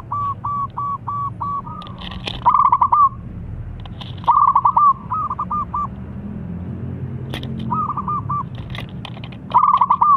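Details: Zebra dove of the local wild type with a powerful voice, used to prompt other doves to sing: repeated stuttering coo phrases, each a rapid run of short notes plus a held tone, spaced over ten seconds, with scattered clicks and low background hum.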